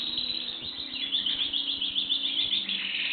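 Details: Canary song: a fast, steady stream of high trilled chirps and short whistled notes, repeated several times a second throughout, indoors with no other clear sounds.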